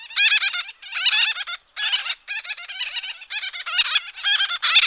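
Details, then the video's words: Gull-billed Tern (Gelochelidon nilotica) giving rapid, nasal, laughing calls in quick stuttering bursts, several per second, harsh and raspy with a rolling chatter. "Чайконосая крачка - Gelochelidon nilotica"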